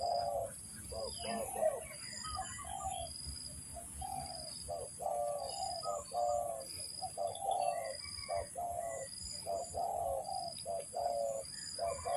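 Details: Spotted dove cooing during decoy trapping: long stretches of overlapping low coo notes, repeated almost every second, accompanied by a constant high pulsing whine.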